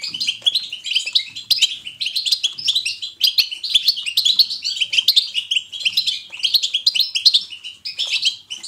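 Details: European goldfinch batbata, a natural, lively twittering chosen to encourage pet goldfinches to sing: a dense, continuous run of high, tinkling chirps and rapid trills in quick bursts, with faint low thumps beneath.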